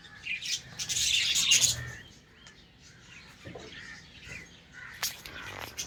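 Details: Budgerigars in a colony breeding setup, calling in the morning while playing; a dense stream of high chirps, squeaks and warbles, loudest in a harsh burst early on, then softer overlapping twitters and a sharp click near the end.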